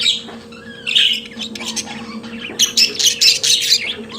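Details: Pet budgerigars singing: a whistled warble, then a fast run of bright raspy chirps repeated roughly twice a second, over a steady background hum.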